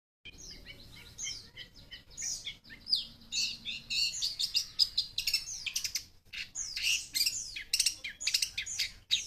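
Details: Young long-tailed shrike with fighting spirit, said to have many song fill-ins: a dense, rapid jumble of high chirps, sweeps and buzzy notes, with varied phrases packed tightly together throughout.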